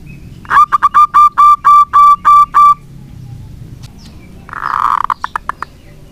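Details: Local zebra dove singing persistently, used as a lure to prompt doves that have stopped singing: a run of about nine short, even, resonant cooing notes, a brief pause, then a rolling purr followed by quick staccato notes over low background hum.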